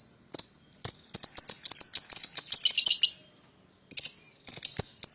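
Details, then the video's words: A pair of paud lovebirds calling to goad a rival into joining: a quick rush of shrill chirps that builds into a dense trill, a brief silence, then more sharp high calls. "PASANGAN LOVEBIRD PAUD,!Pancingan Memanggil Lawan Agar Ikutan Bunyi"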